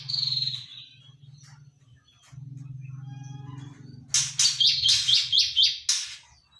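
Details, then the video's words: Juvenile white-rumped shama, about three months old, practising its song: a clear high whistle at first, then a run of harsh, broad rasping bursts with zigzag notes woven in, about four per second. A low hum runs underneath. "Kicauan murai batu Sri Rama(umr 3bln) yang lagi dokor"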